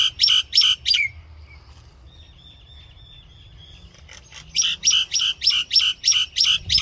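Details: Common myna singing: three loud squeaky chirps, then a long thin whistled tone held quietly for about two seconds, followed by a fast run of eight rhythmic chirps.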